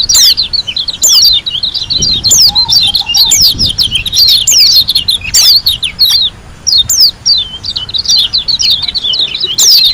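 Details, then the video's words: White-eye from Lombok delivering a long continuous song of high, rapid twittering and chattering notes with repeated sharp downslurred accents. "KUMPULAN SUARA PLECI GACOR ASLI DARI LOMBOK‼️ SUPER NGALAS TEMBAKAN MEWAH"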